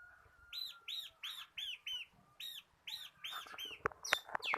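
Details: Gacor crystal bar-winged prinia in ngebren tutor song for cage birds: evenly spaced arched chirps about three per second, ending in sharp clicks and knocks.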